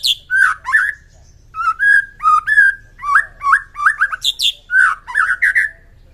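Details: White-rumped shama singing in the morning to raise its fighting spirit: rich, varied whistled phrases with quick slurred notes and occasional sharp high chips, delivered in short bursts with brief pauses.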